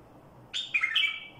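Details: A single short barwaz phrase from a Badrawi bulbul: a sharp onset, then a fluty, wavering whistle that slides down and rises again before fading.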